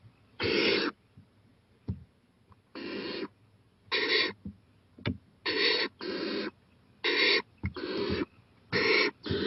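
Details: Owl at night, 11:26 pm on April 23, 2018, going out to a porch and eyeing a playground; harsh, breathy hissing screeches of about half a second, eight bursts at uneven intervals, with faint clicks between.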